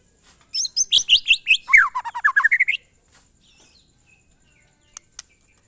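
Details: Monotonous glondong-style song of a white-rumped shama, a quick burst of high whistled phrases running into a chain of falling slurred notes, then near silence with faint clicks.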